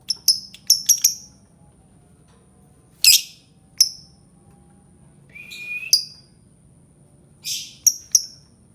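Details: Albino lovebird calling: scattered sharp high chirps in small clusters, one rising whistled note near the middle, with long quiet gaps between bursts.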